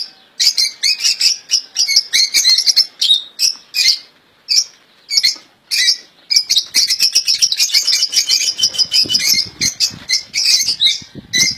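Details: Caged royal goldfinch, one of several kept birds, delivering flawless song: sustained, rapid, high-pitched twittering phrases with liquid trills and sharp chips, running almost without break for over ten seconds.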